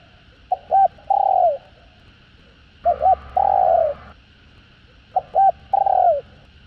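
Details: Spotted dove in a full calling and cooing set meant to rouse caged birds. Three phrases about two seconds apart, each two short hollow notes then a longer drawn coo that falls at the end. A faint steady hum runs underneath.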